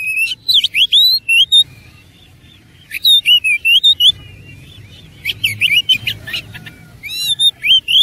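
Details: Energetic, persistent song of an oriental magpie-robin (kacer) in 'tarung' fighting style with 'isian' phrasing: fast strings of piercing upslurred whistles and chirps, four bursts separated by short silences, against a soft low background rumble.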